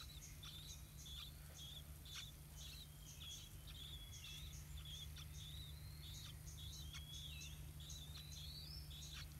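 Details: Two big Yellow-vented Bulbul chicks, almost able to fly and being fed by their parents at the nest, give thin, high chirps about twice a second, with the odd rising whistle, over a steady low hum.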